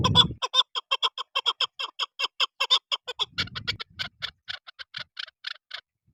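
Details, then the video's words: Chukar partridge (desi chakor) giving a fast run of harsh, clucking chuck notes, about five a second, loosening toward the end, with a few low thumps. "chakor Best sound/چکور کی بہترین اواز"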